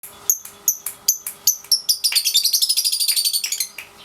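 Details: Caged lovebird, 3.5 months old, in daily ngekek training: sharp high chirps spaced about every quarter second, then a long rapid trill of shrill pulses running nearly two seconds.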